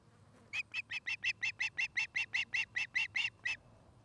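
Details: Nest-camera recording of an osprey couple building a nest near Charlo, Montana, 09-05-2018: a steady train of about seventeen short, high, piping whistles, nearly three per second, rising slightly in loudness before stopping, with light background hiss.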